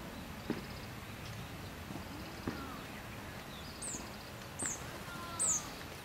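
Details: A dusky thrush foraging in a park at Settsu Gorge, northern Osaka, in April 2017 gives three thin, very high, slightly falling calls over steady outdoor hiss and faint knocks.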